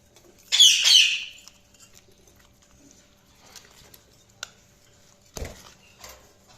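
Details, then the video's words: Budgerigar chirping in one short, bright, squeaky warbling burst near the start, then near silence broken by scattered light clicks and a dull knock. "Budgies Chirping sound"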